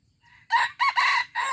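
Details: Junglefowl crowing in Aceh, recorded 25 April 2020: a short, harsh, hoarse crow broken into a few loud segments after a quiet lead-in note, cut off at the end.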